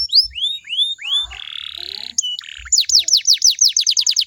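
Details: Canary performing a lure song to make other canaries sing back: several upslurred whistles, a sustained harsh buzz, a short squeaky phrase, then a fast run of bright falling notes accelerating toward the end.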